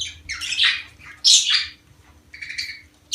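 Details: Budgerigar chatter meant to stimulate breeding: a run of scratchy, warbling squawks and buzzy notes, some rising and falling, with brief pauses and a faint hum beneath.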